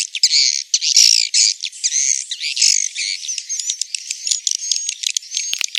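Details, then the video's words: Swiftlet lure call mixed from proven calls to attract swiftlets: a dense, continuous stream of high buzzy chirps and twittering trills, loud throughout, with thin whistled notes toward the end. "Suara panggil walet"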